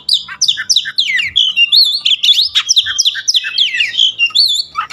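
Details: Oriental magpie-robin pouring out a dense, unbroken song of varied slurred whistles, quick upward and downward sweeps, and brief buzzy trills. Loud and continuous, with almost no pauses.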